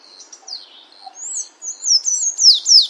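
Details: Soft scattered squeaks build into loud, sharp, high sliding notes as a sayaca tanager sings in the wild.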